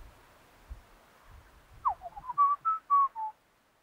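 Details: In Australia, an Australian magpie, after near quiet with faint low thumps, gives a quick falling slur and then five clear, sustained whistles at a steady pitch.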